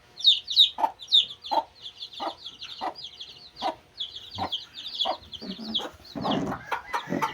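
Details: Busy chorus of two-day-old Shamo chicks: rapid overlapping high cheeps, many per second, over repeated sharp clicks and knocks, ending in broader rustling noise.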